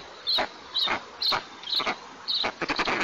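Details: White-tailed eagle at its nest in oil-producing districts of southeastern Tatarstan, picked up by a nest camera on 5 April 2024 around a first meal. Thin high notes repeat about every half second, then a quick run of clicks, all over steady hiss.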